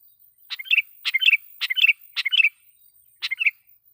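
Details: Sooty-headed bulbul singing loudly as a lure to agitate wild bulbuls. A quick series of four bubbly phrases, each a sharp note followed by liquid whistles, then a pause and one more phrase.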